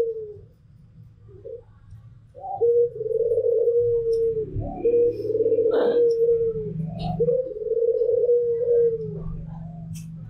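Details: Soft, low rolling coos from a Barbary dove, white pelung and local doves, long drawn-out hoots around two seconds each with short breaks, over a faint background hum.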